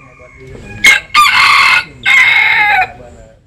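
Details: Bantam chicken, Japanese and Cuban type, crowing in the sun: a sharp opening note, then two long, loud, hoarse crow phrases separated by a short pause, fading at the end.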